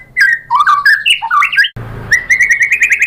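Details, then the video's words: White-rumped shama song meant to provoke other birds into singing: varied warbling whistles, a brief break, then a rapid even trill. "PANCINGAN MURAI BATU bikin NYAUT BUNYI GACOR NGEPLONG BONGKAR ISIAN"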